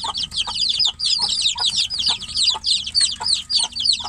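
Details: Caged chicks calling for the hen outside give rapid bursts of high, sharply dropping peeps, about three a second, with short pauses between bursts and a few low dull clicks underneath.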